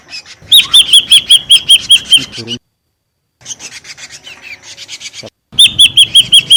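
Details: Noisy ashy drongo lure call: bright whistled notes repeated rapidly in long even strings, broken by a short silence and a stretch of raspy buzzing pulses.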